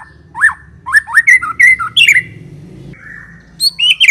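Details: Clear, loud song of a white-rumped shama played to lure others of its kind, with looping whistled phrases rising and falling, a held flat whistle, then higher sharp notes at the end over a faint low hum.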